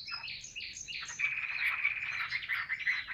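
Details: Chinese hwamei, a caged bird, delivering a dense rapid warbling stream of overlapping notes, somewhat blurred, over faint low background hum.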